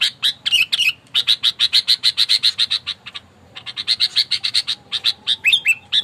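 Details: Fierce sooty-headed bulbul lure bird in fighting mood: fast, evenly spaced chattering notes, about three or four per second, in two long runs separated by a short pause, with a few twisting whistles.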